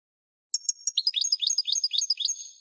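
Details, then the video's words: European goldfinch singing a rapid run of repeated rising twittered notes after a few sharp introductory chirps, a lively high tinkling sequence. "Singing goldfinch - Chant chardonneret parva"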